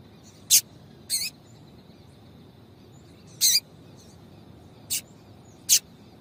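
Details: Female yellow-bellied seedeater calling to stimulate and excite the male: short, sharp, buzzy chips at irregular intervals, five in about six seconds, over a steady faint high-pitched tone.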